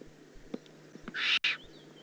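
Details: A single loud, raspy hiss from a juvenile Eurasian eagle-owl in the Eifel on 18 June 2016 is briefly broken by a dropout. It is preceded by soft low taps.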